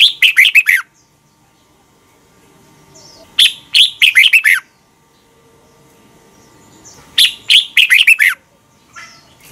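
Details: {'caption': 'Red-whiskered bulbul in Thailand, training song for birds to copy: three identical fast phrases of five or six loud descending whistles, repeated roughly every four seconds over near silence.'}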